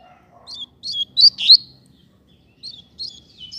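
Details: Street setting with a pair of Double-collared seedeaters: soft high slurred chirps in short groups, a louder pair of notes in the middle, over a faint low hum.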